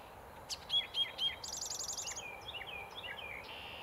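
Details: Eastern towhee singing a variation of its drink-your-tea song in East Ithaca, 8 May 2020: a few sharp, high introductory notes, then a fast, buzzy trill and some lower slurred notes.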